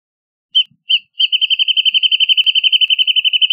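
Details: Two separate introductory notes from a Wrentit lead into a long, fast, regular series of repeated ringing notes that continues to the end of the recording.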